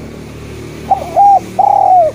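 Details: Eurasian collared dove singing busily to prompt reluctant spotted doves to sing: a soft lead-in note, then a level coo and a longer, gently falling coo over a constant low background hum.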